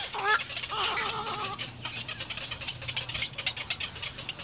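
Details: Little egret chicks in the nest, trying to feed their parent, give a few nasal, wavering, mewing calls in the first second and a half, followed by scratchy clattering and rustling.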